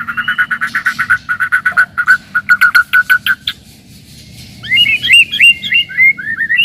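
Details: White-rumped shama song for stirring rival birds and testing young ones: a steady run of clipped, even whistled notes, a brief quiet gap, then a burst of higher twisting, slurred phrases over faint background hum.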